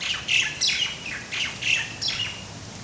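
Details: Laysan albatross (Moli) chicks and adults at Princeville, Kauai, Hawaii, in May 2010, while chicks stretch and are fed; hoarse, squawking calls come in short bursts roughly every half second, some rising then falling, with a faint high whine.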